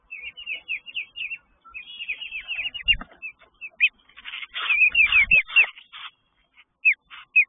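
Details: Sparrow nest with chicks during the mother's territorial aggression; thin, high, rising chirps come in rapid series, broken midway by a dense burst of harsh, buzzy notes before sparse chirps resume.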